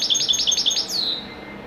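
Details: Wedani goldfinch of Morocco in lively performance: six quick, ringing high notes evenly spaced, followed by a long, smoothly falling whistle that trails away.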